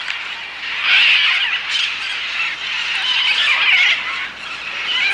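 Dense, overlapping harsh squawks from a flock of parrots, shrill and raucous, swelling and fading without a steady rhythm.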